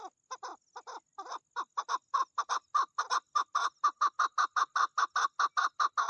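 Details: Chukar partridge hen calling in mating season, a rolling sequence of gruff repeated chuk syllables that tightens into a fast, regular beat lasting six seconds.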